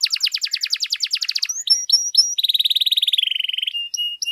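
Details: Canary in full song as a training master: quick run of repeated sweeping notes, a few sharp chips, then a rolling trill that drops slightly in pitch, ending in short whistled tones.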